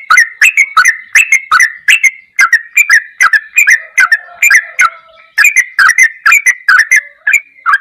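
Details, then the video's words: Sooty-headed bulbul, masteran song in the ropelan goklikan style: a long, rapid run of whistled chirps and clicks, briefly softer in the middle, then again fast and continuous. "MASTERAN TRUCUKAN TERBAIK || ROPELAN GOKLIKAN TOP"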